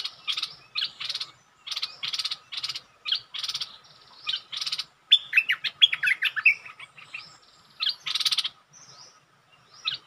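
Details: Bulbul singing while challenging a territory owner: harsh, broadband chattering bursts repeated in quick runs, mixed with short whistled and rising notes, separated by brief pauses; no other clear sounds.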